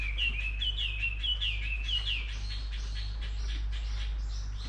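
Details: A bird sings a series of rapid, slurred whistled notes, each dipping then rising. Further overlapping bird notes follow in the background, and a steady low hum runs underneath throughout.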